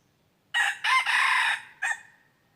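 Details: Wild red junglefowl lured with a decoy, recorded 23 January 2022, giving a full crow: a short opening burst, two loud sustained harsh segments, and a clipped closing note, with little other sound.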